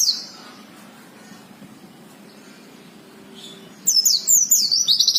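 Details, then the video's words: Oriental white-eye caught from the wild, silent at first with a faint low hum, then breaking into a fast, loud twitter of high, wavering and down-slurred whistles. "BURUNG PLECI NGALAS SAMPE BUKPAR GACOR"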